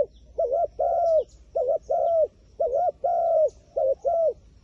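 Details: Wild pigeon cooing in measured doublets, a quick note then a longer descending coo, repeated at a relaxed even pace.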